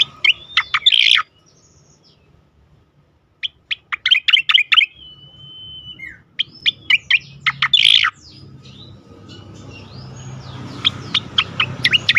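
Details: Striated grassbird singing, a melodious recording used to prompt and train other songbirds: bursts of sharp, high chirps and trilled notes with a thin whistled line, long silent gaps between phrases, faint rising background hiss at the end.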